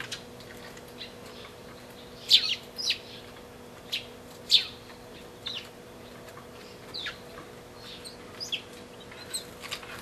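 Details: From a pair of sparrows, 20 March 2012: a few loud, piercing chirps near the middle, with softer scattered tweets before and after, over a low background hum.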